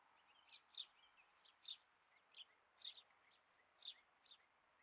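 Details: Satyr tragopan: captive two-year-old female with her chicks; thin, high chirps repeated roughly every half second to second, some paired, over a steady background hiss.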